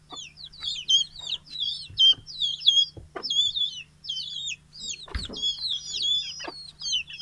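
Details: Many chickens, young and grown, let out of the coop and fed in the morning, Betbari, Mymensingh, 6 October 2018; continuous chorus of high, wavering, chirpy peeps, with occasional dull knocks in the background.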